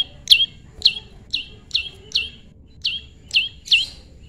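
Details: Prinia kept tame, heard during pairing: eight loud, ringing chirps sliding down in pitch, about two per second, over near-silent background.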